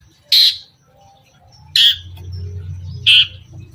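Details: Long-tailed shrike lure song in the "toet toet" style, used to provoke other shrikes. Three short harsh, buzzy notes sit high in pitch, spaced over a second apart, with a faint low hum beneath.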